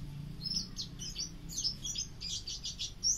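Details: Short burst of pleci auri white-eye song used to tutor other birds: dense high twittering with quick slurred chirps and buzzy trills running together, bright and continuous over a quiet low background.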